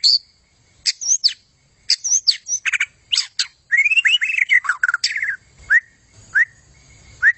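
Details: White-rumped shama with a long tail singing vigorously: scattered high chips and clicks, then a rapid rippling run of whistled notes, followed by single spaced downslurred whistles.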